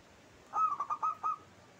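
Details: Cooing of a local zebra dove in the favoured 'klauw ketek kuk kuk' style, recorded as a lure: a tight run of five round, staccato notes, steady in pitch, with faint background hiss.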